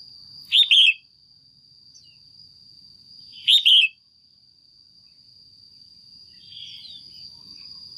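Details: Caged female red-whiskered bulbul calling to rouse a male or to pair: two loud, buzzy double chirps about three seconds apart, then a soft distant twitter, with a constant high whine.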